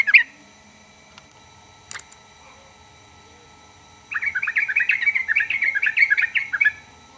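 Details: A single sharp note and a couple of faint clicks, then after a pause a yellow-vented bulbul delivers a long, rich burst of rapid bubbling, chattering notes lasting over two seconds.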